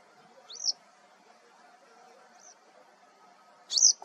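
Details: Territorial male Western yellow wagtail of subspecies cinerocapilla, recorded at Sant'Agata Bolognese (BO) on 13 April 2022. Three high, thin, rising-then-falling calls come at irregular gaps, the last the loudest, over a quiet background.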